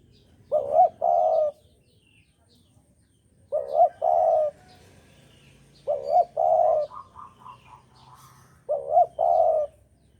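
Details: Javanese spotted dove song used as a lure for bird trapping: four two-part phrases, each a short wavering coo followed by a longer, steady, hollow coo, spaced roughly every two to three seconds, with faint chirps between.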